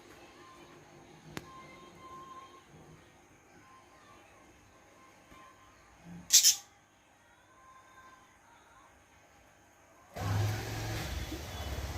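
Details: Quiet room hum with a steady high tone, one brief knock, then a rush of broadband noise. No clear animal calls stand out.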